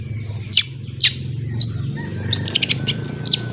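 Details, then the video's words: Long-tailed shrike of Lampung learning ngriwik: sharp high downslurred notes at uneven intervals with a brief flurry of quick chips near the end. "Suara Pancingan Burung Cendet Belajar Ngriwik ‼️Cendet Lampung"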